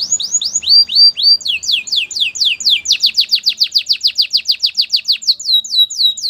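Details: Canary singing a training song for other canaries: a long series of rapid, repeated downslurred whistled syllables, changing to faster, tighter notes midway, about three to four per second, clear and loud.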